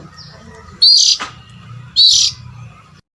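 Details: Oriental magpie-robin lure call meant to draw adult birds: two loud, rasping high bursts about a second apart over a faint low hum.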